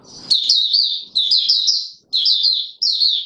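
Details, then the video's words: In courtship mode on 25 January 2022, an Oriental white-eye delivers four short bursts of fast, high, twittering notes, each phrase rapidly descending, with a faint rustle at the start. "Mata Puteh Raja V2 in courtship mode"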